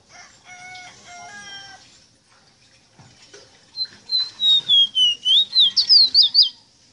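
Ruddy-breasted seedeater song: a quick run of about ten high, clear whistled notes, sliding and looping, after softer tonal notes from another bird.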